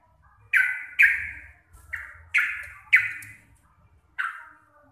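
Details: Sooty-headed bulbul of local Javanese stock, lively and chattering, voice said to be deep, clear and loud: six strong harsh bursts, each fading downward, delivered roughly every half second to second with short gaps.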